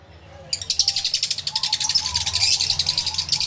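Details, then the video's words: Lovebirds in an aviary, yellow-collared lovebirds among them, recorded with a camera and two external microphones: after a brief hush, a fast, steady stream of harsh, high chattering calls, roughly four per second, builds in loudness. "1 Hour Lovebird Sounds Aviary Series V1"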